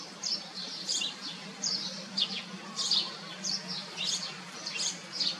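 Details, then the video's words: Common iora bringing food to its chicks; high, piercing chirps repeated at uneven intervals of roughly half a second to a second, each a short squeaky burst, over a steady low hum. "นกขมิ้นน้อยธรรมดา ป้อนอาหารให้ลูก Common Iora"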